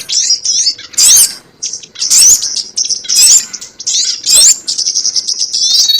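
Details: Lure call of a sogon for bird trapping: high squeaky twitters with loud sharp chirp bursts about once a second, separated by softer chatter.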